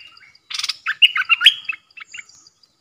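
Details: Bulbul kept as a caged decoy while wild birds approach, 13 April 2021. A harsh burst opens a tumbling, fluty phrase of warbled whistles, with a few softer notes trailing after.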